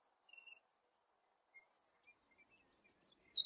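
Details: Eurasian penduline tit filmed in 2017: a few faint short high notes, a pause, then a long thin very high whistle with scattered lower chips, otherwise quiet.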